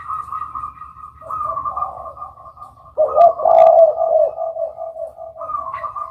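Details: Spotted dove calls in layers: a higher, steady cooing line runs throughout while a louder, throaty coo phrase breaks in past the halfway point, then fades back into softer, continuous coos.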